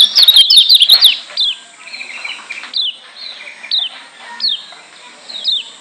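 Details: Lombok white-eye (kecial kuning) song used to provoke other birds opens with a rapid burst of high twittering, then gives sharp, down-slurred whistled notes every second or so.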